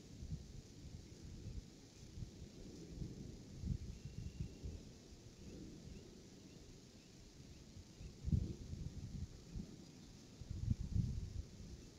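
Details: Only low, gusty wind rumble with occasional thumping bursts is heard, and no animal voice.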